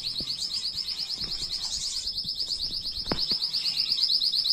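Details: A canary in 2022 sings a fast, unbroken roll of high, bubbling notes, about ten a second, swelling slightly toward the end over faint clicks; a tutor song for teaching young birds to sing.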